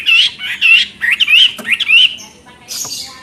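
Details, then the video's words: Chinese hwamei singing loudly and close, a series of bright looping whistled phrases repeated about twice per second, each sliding up and down, then softer high notes. "Burung Hwamei Wambi NGOCEH Istimewa Gacor Suara Cristal Isian special"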